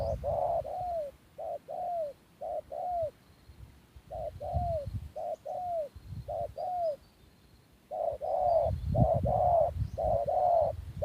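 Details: Spotted dove used as a decoy, put back on the field to lure wild doves, cooing in steady two-part phrases, a short note then a longer falling one, about ten phrases with a brief pause midway over low rustling background noise.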